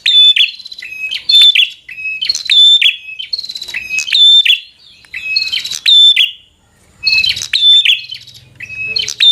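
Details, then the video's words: Bar-winged prinia fighter song for stirring a rival to fight: dense runs of piercing high chirps and clicks in phrases about one and a half seconds long, with brief silences between. "Suara Burung prenjak | Prenjak Gacor Full FIGHTER Bikin Prenjak Jadi Emosi Lawan"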